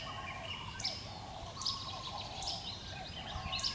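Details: Russet sparrow (Passer rutilans), rare and declining in southern Taiwan, gives short, high chirps about once a second, thin against steady outdoor background noise.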